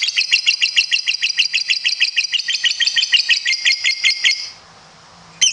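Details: Lovebird kept for song competitions delivering a long ngekek trill: a quick, bright, evenly pulsed rattle of shrill notes lasting over four seconds. It stops abruptly, followed by quiet and then one sharp chirp.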